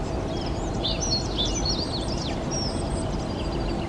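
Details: Dunnock song: a quick high jingle of thin twisting whistled notes lasting about two seconds, set against a steady low rumble of background noise.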